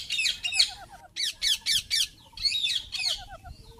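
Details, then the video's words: Indian ringneck parakeet uttering loud, grating, high-pitched squawks in quick groups of three to four, separated by short quiet gaps, in a quiet background. "Indian Parrot Talking and Making Noise"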